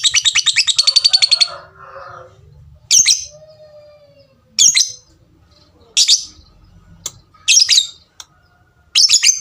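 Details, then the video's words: Lovebird song: a burst of rapid rattling ngekek chatter lasting over a second, then separate sharp tik calls every one to one and a half seconds, over a low hum. "suara lovebird tik tik tik lanjut ngekek ngekek panjang"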